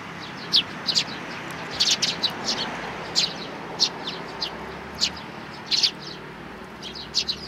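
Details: Three sparrow nestlings, filmed 12 May 2019, calling with sharp high chirps, singly and in quick clusters of two or three, against constant low hum and background noise.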